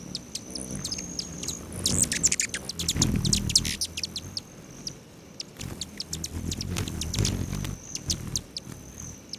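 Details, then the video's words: Hummingbirds at feeders outside rooms of a lodge bordering Great Sand Dunes National Park, Colorado, on a July morning; dense runs of fast, high, ticking chips alternate with a thin continuous whine, over a soft low rumble. "Ten minutes of Hummingbirds"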